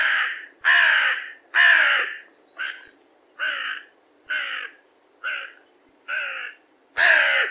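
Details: Carrion crow calling: nine harsh, hoarse caws in about seven seconds, spaced irregularly, the first few louder and longer, later ones shorter, with a final loud caw; no other sounds.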